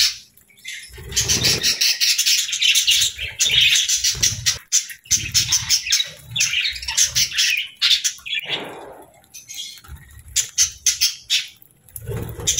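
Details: Cheerful budgerigar chatter: dense high warbling and chirping in long bursts, then a string of quick sharp chirps near the end, with faint low bumps between phrases.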